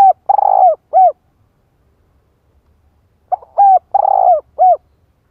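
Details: ['Female spotted dove, calling so as to provoke a male, repeats a clean three-part phrase twice, about three seconds apart: a short coo, a long vibrating coo and a short closing coo, in a quiet setting.']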